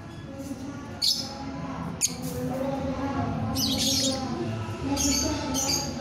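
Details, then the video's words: Lovebird in full chattering song, described with 'ngekek' rattling and 'ngetik' ticking phrases. Short, harsh, high squawking bursts come near one, two, three-and-a-half and five seconds over a steady low hum. "lovebird gacor ngekek ngetik"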